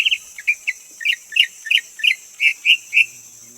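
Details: Greater green leafbird singing a steady string of short, clear whistles, roughly four per second, over a continuous high insect drone.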